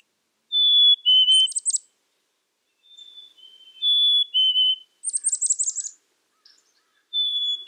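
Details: Black-capped chickadee voicing whistled fee-bee pairs and a longer buzzing chatter of dee notes, with brief silent gaps between phrases.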